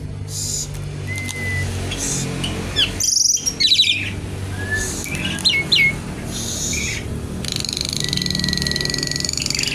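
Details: Javan pied starling singing energetically, 'kretekan' style, wings spread 'nggaruda': steady whistled notes mixed with harsh chattering bursts and rapid rising chirps, ending in a long flat whistle over a buzzy rattle.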